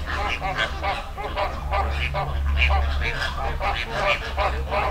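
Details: Wild flamingo flock in a river, Dominican Republic: steady stream of short honking calls from many birds overlapping, over low rumbling background.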